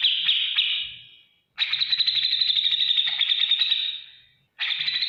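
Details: Cucak jenggot, the grey-cheeked bulbul, singing ngetik ngipik chatter meant for tutoring other caged birds: a rapid typing-like ticking trill held for about two and a half seconds between short pauses.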